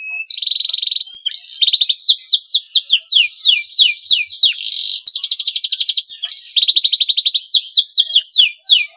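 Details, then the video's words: Male canary in breeding condition, singing to stimulate other canaries: long run of sharp descending slurred notes between steady rolling trills, loud and continuous, bright high pitch throughout. "CUIT CUIT KENARI JANTAN BIRAHI UNTUK MERANGSANG BUNYI KENARI LAWAN AGAR MAU BUNYI DAN GACOR"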